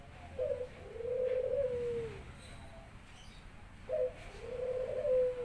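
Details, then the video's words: Barbary dove kept at home, in full song as it greets its owner back from work. Two low coos play in turn, each a brief rising note followed by a drawn-out, purring, level tone, in a small indoor room. "burung puter saya udah gacor"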